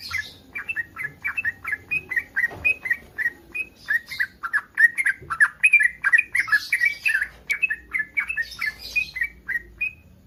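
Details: Yellow-vented bulbul in breeding condition gives a long, lively run of bubbly, slurred chirps that provokes other bulbuls to answer. The notes are evenly paced and jumbled, and a soft higher hiss comes and goes.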